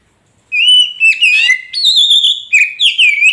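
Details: Loud, clear whistled phrases of a magpie robin, played to get a caged bird singing, rising and falling in a fluent varied sequence with brief rapid notes between.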